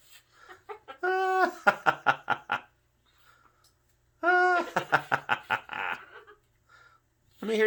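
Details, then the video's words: Pet cockatoo laughing indoors: two bursts of rhythmic, human-like 'ha-ha-ha' laughter, each starting with a loud harmonic note and fading over about two seconds, while a person's voice coaxes it to laugh. "Parrot Laughing"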